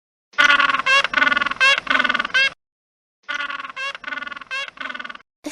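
A penguin brays in loud, harsh, donkey-like phrases of rapid pulsed notes, two bursts separated by a brief pause.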